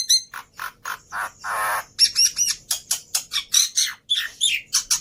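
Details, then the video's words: Javan pied starling singing as a tutor recording for training kept birds: a rapid series of raspy chirps and squawks, one longer hoarse rasp, then clipped notes with short whistled accents. "Pancingan Plus Masteran Burung Jalak Putih full Isian Mudah Di Tiru"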